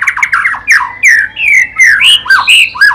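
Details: White-rumped shama song of rich whistled phrases, slurred downward and upward, with bright rising notes and ringing high tones in a lively, irregular sequence.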